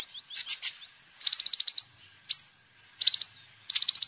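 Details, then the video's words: Kolibri ninja sunbird in full song, meant as a lure and training master for birds. Very high, tinny notes: a stuttered start, a quick chattering trill, one sharp upward squeak, then further trills. "Kolibri Ninja Gacor Terbukti Ampuh Untuk Pancingan Dan Masteran Burung"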